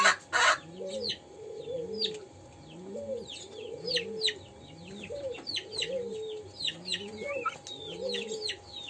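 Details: Young pelung dove learning to call, giving a crying practice call: low arched coos rising and falling, repeated about once a second, under constant high chirping from other small birds.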